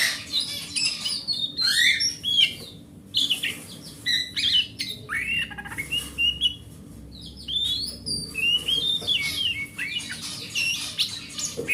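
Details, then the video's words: Forest-type oriental magpie-robin, large hobby bird, singing to stimulate silent birds: long varied sequence of loud rising and falling whistles, rich slurred notes and rasping trills, separated by short gaps and faint clicks. "Suara Master Burung Kacer"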